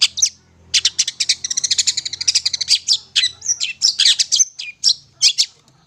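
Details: Long-tailed shrike song used as a lure, a dense run of rapid scratchy chattering notes high in pitch, clustered bursts and short buzzy phrases pouring out almost without pause.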